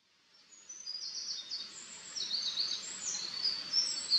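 A Eurasian wren pours out a rapid, very high, tinkling song of fast trills and sharp notes, running on without pause over a soft hiss of background noise.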